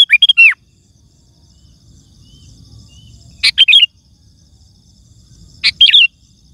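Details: Sooty-headed bulbul, kutilang, singing to lure wild birds: three widely spaced short phrases of bright chirpy whistled notes, each under half a second, separated by long quiet pauses with a faint low hum behind.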